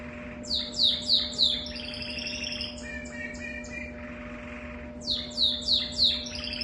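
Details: A canary with an unusual song sings quick, bright descending chirps in bursts, with buzzy rolled trills between phrases; a steady electrical hum runs underneath.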